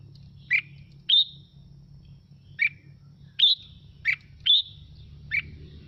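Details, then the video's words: Wild-style red-whiskered bulbul song meant to stir other birds to sing. Bright, clipped whistled notes alternate between a higher and a lower pitch, spaced roughly half a second apart, above a quiet low drone. "Mào Mộc Hót Hay Kích Chim Hót Theo Để Lên Lửa"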